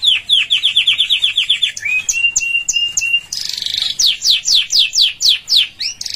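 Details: Canary song used for training: a rapid run of rising-falling chirps, a few drawn-out flat whistles, a harsh buzzy burst, then clear descending whistled notes repeated about four times per second.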